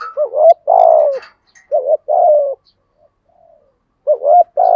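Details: Decoy spotted dove with a 'giọng thổ' voice giving urging coos: three low hoarse phrases of a quick hooked note then a long sliding coo, with faint chirps from another bird near the start.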